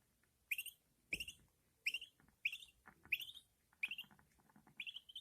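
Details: Newborn budgerigar chicks begging while their mother feeds them: short, bright, rising chirps repeated roughly every half second to second, each a quick upward squeak with a slightly harsh edge, fairly quiet.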